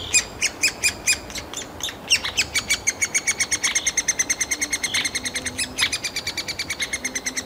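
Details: Nestling three-toed woodpeckers begging for food in their nest hole, Kalinovsky forest park, Yekaterinburg: shrill high squeaks, spaced at first, then speeding into a rapid, nearly continuous chatter with a few louder sharp notes.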